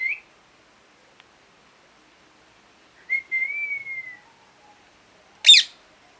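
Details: Parrot giving a single drawn-out whistle that rises slightly and slowly falls over about a second, followed later by a short harsh screech in a quiet room.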